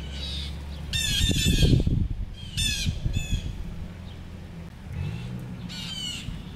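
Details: Blue jays in Petrifying Springs Park, Kenosha County, near Somers, Wisconsin, 22 July 2024; harsh, squawking calls in short bursts with banded overtones, over a steady low hum and outdoor background noise.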